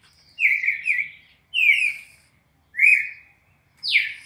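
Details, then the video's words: Red-crested cardinal 4-note classic song meant for teaching captive birds: a double whistled phrase, two falling slurred notes, and a final steep downward sweep, in a quiet setting. "CARDEAL SEQUÊNCIA MÁQUINA DE CANTO 4 NOTAS CLÁSSICO"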